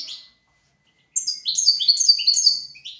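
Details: European goldfinch singing, recorded for training goldfinches and canaries: after a brief note and a pause, a fast, bright, liquid twitter of stepped tinkling phrases, clean and without background noise.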